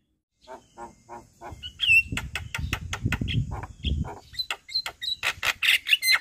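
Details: Javan myna (jalak kebo) in full song: quiet clicks rising into loud harsh chatter and squawks, then a brisk sequence of high whistles and rasping notes.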